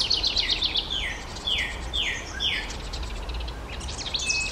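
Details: House wren nestlings, the last two of five, hesitating to leave a nest box while parents wait. A quick high trill opens, followed by four evenly spaced down-slurred whistles and faint chatter.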